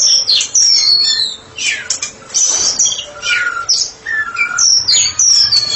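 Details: Singing white-rumped shama, a therapy specialist bird performing ngeplong: clear descending whistles, rich fluting notes and abrupt sharp chips, loud varied phrases with short gaps.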